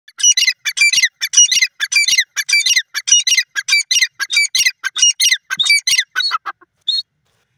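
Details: Grey francolin (teetar), said to be singing while flying: a loud series of harsh, squawking multi-note bursts, under a second apart, stopping after about six seconds and ending with one thin higher note.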